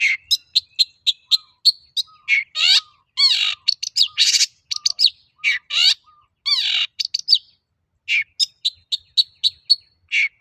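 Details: Long-tailed shrike in lively full song, used as a lure to prompt other shrikes to sing: rapid ticking high notes, buzzy harsh bursts and downslurred whistles in a varied, chattering stream with short pauses.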